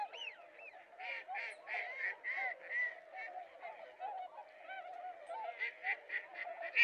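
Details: Mallards in Japan in January, with a pair that left the group to mate, give a rapid run of nasal, honking quacks, three or four a second, several ducks calling and overlapping.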